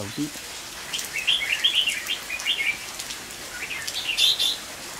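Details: Red-whiskered bulbul in rain during a bulbul trapping session, 23 August 2019, singing the fast challenging ché style; rapid bubbly, up-and-down warbled phrases in two bursts separated by a short pause, over constant rain patter.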